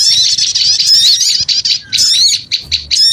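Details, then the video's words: Lure sound of small birds calling noisily: a continuous jumble of sharp, high squeaky chirps and twittering whistles, broken into short bursts in the second half. "Suara Pikat Burung Kecil Ribut Ampuh"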